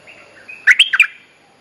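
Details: Lure phrase of a bulbul, a call for a mate used for training young birds: faint soft notes lead into four rapid, loud, liquid chirps that end in a short trailing whistle.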